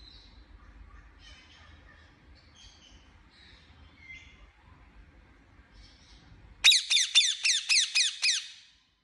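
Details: Pet Indian ringneck parakeet, after faint quiet chirps, bursting into a loud harsh series of about seven rasping squawks repeated rapidly, several per second.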